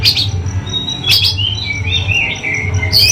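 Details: Oriental magpie-robin from Indonesia giving short sweet whistles and sliding notes, a few sharp clicks between them, over a constant low hum.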